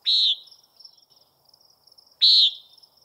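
Common nighthawk giving two harsh, nasal, buzzy 'peent' notes about two seconds apart, over a faint, steady high insect trill.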